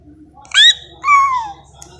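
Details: Pet cockatiel talking, saying "I love you" and a name, indoors. Two short, whistly, harmonic syllables, the second longer and gliding downward, over a low background hum.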